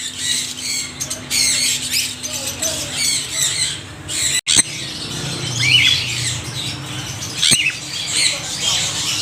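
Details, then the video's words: Parrots giving loud, harsh squawks, a dense overlapping chorus of rasping high calls with sharp bursts throughout, plus a brief click and dropout near the middle. "Extreme noise of parrots"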